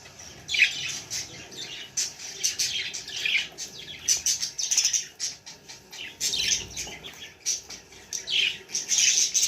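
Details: Baby budgerigar chattering in irregular bursts of harsh, high chirps and squeaks, with brief clicks and pauses between phrases.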